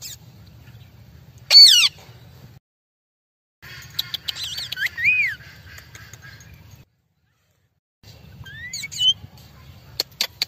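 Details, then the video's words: One sharp, loud squawk from an Amazon parrot, then softer chattering and a short looping whistle, with spells of silence and a faint low hum between calls. "Parrot talking video amazon natural sound group parrot voice"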